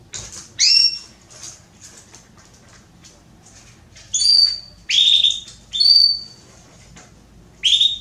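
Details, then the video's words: A female Belgian canary calling to mate gives short, bright, high chirps with slurred whistled notes, repeated in bursts about every second. Other calls sound faintly in the background. "Canário Belga Fêmea Pedindo Gala"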